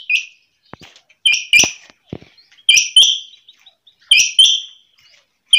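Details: Female quail calling early in the morning: sharp, high two-part notes in short bursts roughly every one and a half seconds, each a bright chip followed by a brief ringing tone, with faint clicks and taps between.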